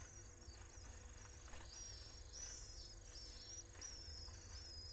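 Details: Three common swift (Apus apus) chicks in a webcam nest in Jerez de la Frontera, attacked by an intruder while the parents were away, give thin, very high screeching squeals repeated several times a second over a steady low rumble.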